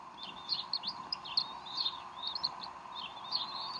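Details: At the Decorah bald eagle nest, 04-12-2012, 3:10 pm Central Time, the mother feeding her young; a fast run of sharp, high chirps and squeaky whistles, closely spaced, with a constant low hum behind.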